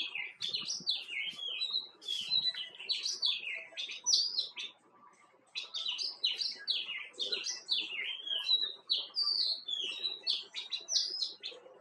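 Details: White-cheeked bulbul calling in lively bursts of bubbly, slurred phrases, a short lull around five seconds, then more rapid chattering notes; faint background hiss throughout.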